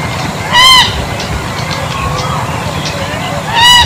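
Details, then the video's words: Bronze-winged jacana giving two loud, nasal, wheezy calls about three seconds apart, each short and rich in overtones. A low rumbling background and faint chirps lie in between. "เสียงนกพริก Bronze-Winged Jacana Sound"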